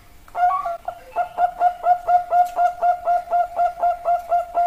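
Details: Zebra dove of the Bangkok perkutut type cooing in a regular series of about fourteen rounded notes, roughly three each second, after a short ragged start.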